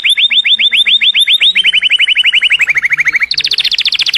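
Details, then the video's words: Loud canary song: a series of curved whistled notes gives way to a faster trill sliding slowly downward, then abruptly switches to a high, rapid, ringing roll. "Best Canary Singing - Kenari Anda akan bernyanyi dalam 5 menit"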